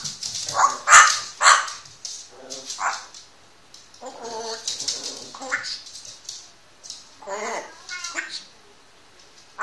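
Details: A one-year-old pet grey parrot talking indoors, mimicking German words. It chatters in speech-like bursts with a few bark-like yelps and squeaky whistled notes in between, every second or so, in a quiet room.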